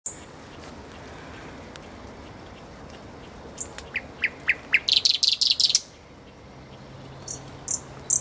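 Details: Common nightingale singing by a road: quiet, scattered high notes build into a loud, rapid burst of repeated sharp notes lasting about a second, followed by a few faint high chips.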